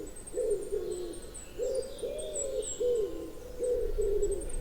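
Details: Common wood pigeon (Columba palumbus) in spring gives its soft, muffled cooing song, about five low hoots with the second stressed, repeated in steady phrases and reverberating around woodland; faint high chirps behind.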